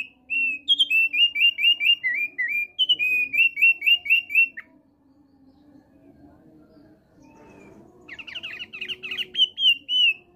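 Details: Singing male thick-billed white-eye: a fast series of about a dozen bright, repeated whistled notes, then a quiet pause with soft rustling and a low hum, then a renewed burst of scratchy chatter turning into whistles.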